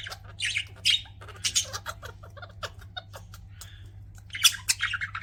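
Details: Pet budgerigars chirping indoors: rapid, busy high chatter of short squeaky notes and warbles, several bursts overlapping, with a steady low hum underneath.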